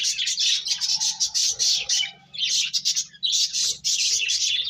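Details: Several finches eating and playing fill the air with dense, continuous high twittering in long bursts separated by short pauses, a faint hum beneath.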